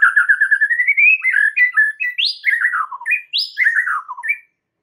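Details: Provocation song of a white-rumped shama, used to stir other shamas: a rapid stuttering run of rising notes leading into rich fluty whistles, descending slurs and sudden high swoops, loud and clear.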